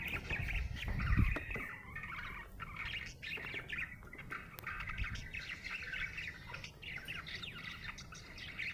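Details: Happy budgerigar warbling in a long, rapid chatter of clicks and short sweeping chirps, with a soft thump near the start and steady low hum.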